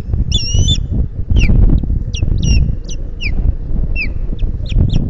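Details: Osprey pair at a nest in the Finger Lakes, on 12 May 2021 in the afternoon, reacting to intruders flying overhead; a rapid series of sharp, downslurred whistled alarm notes, some paired, over loud low wind rumble.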